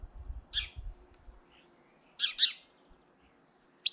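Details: In early April, a hefty European goldfinch threatens a rival goldfinch with brief, high, scratchy chirps in short pairs, separated by quiet gaps, with low rumbling at the start.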